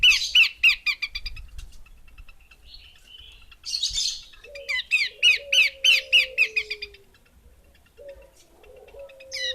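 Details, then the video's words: Female Horsfield's babbler repeating quick, piercing downslurred chips in several runs, broken by a harsh rasping burst; a low, slowly falling tone sounds near the end. "Burung Pelanduk Semak Betina"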